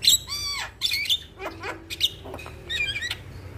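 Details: Male Javan myna singing energetically, a song meant to make other mynas start singing: harsh buzzy bursts mixed with clear upslurred and downslurred whistles, delivered in short separate phrases.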